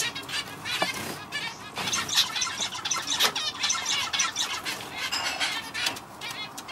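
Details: Male zebra finch kept as a pet, its song a run of harsh buzzy notes and quick nasal chatter in repeated phrases, with a few sharp clicks and faint background hum.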